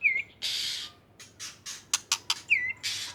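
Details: White-rumped shama from Aceh singing energetically. Clear downward whistles alternate with harsh, rasping bursts and a quick run of sharp clicking notes, with low background hum.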